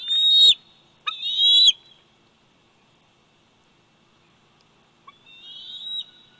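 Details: On a Big Bear Valley nest cam, 27 July 2019, the 104-day-old bald eagle eaglet gives two sharp, squeaky whistled cries in quick succession, then falls quiet for about three seconds before one softer, rising whistle.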